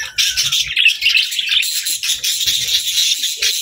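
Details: Budgies warbling and chirping nonstop in a noisy chorus of squeaky notes, with light tapping sounds underneath.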